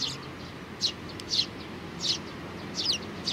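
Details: Eurasian tree sparrows, several together with a youngster, 27 June 2019: a handful of high, slightly buzzy chirps about every half second to second against steady background noise.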